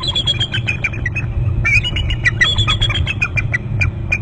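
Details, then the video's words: Hornby Island eagles calling over their nest territory, both birds off the nest; quick strings of high squeaky piping notes, slightly descending, continuing throughout over a low rumbling background. "both eagles off bst to gregg's' lots of calling"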